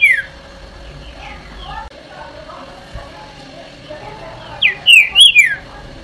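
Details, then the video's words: Green-winged saltator (trinca-ferro), "Eu Sou Terrível" song style: faint soft notes at first, then a loud phrase of four quick slurred whistles near the end over a steady low hum. "TRINCA FERRO CANTO EU SOU TERRÍVEL"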